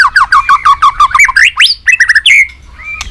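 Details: Fast, energetic fighting song from a three-season white-rumped shama: a rapid run of rich looping whistled notes about six per second, climbing into sharp upswept calls before trailing off into a soft drawn-out whistle.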